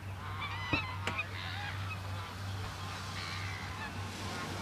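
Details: Black swan in Sydney, Australia, in August, walking with its young, gives a few soft, honking, slightly bugled notes in the first second or so, over a steady low hum and distant background noise.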